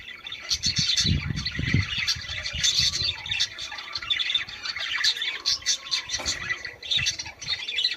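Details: Budgerigar song played to encourage birds to mate: continuous, busy chattering warble of rapid chirps and squeaks with a few low thumps early on.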